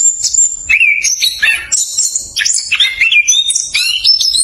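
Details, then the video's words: Orange-headed thrush, locally called anis kembang, punglor kembang or anis cacing, giving a rapid, tight rolling song meant to lure reluctant thrushes into singing: fast, varied whistled and chattering phrases that leap between high and mid pitches with no pauses. "ANIS KEMBANG NGEROL SPEED RAPAT COCOK UNTUK PANCINGAN ANIS KEMBANG MALAS BUNYI"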